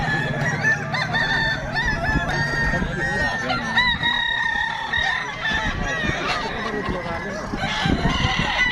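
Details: Crowing contest of Kukuak Balenggek chickens: repeated long multi-syllable crows rising and falling in chains from several birds, set against clapping, murmuring spectators and faint music.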